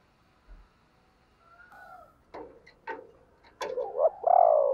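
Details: Decoy spotted dove calling to provoke other doves into cooing: low, hollow, rounded coos building toward the end, mixed with sharp clicks and rustles, after a faint drawn-out note.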